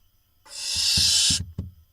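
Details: Barn owls at a nest box in Israel on 23 June 2021, the father resting on the box before delivering a vole: one long harsh rasping hiss of about a second, followed by soft low knocks.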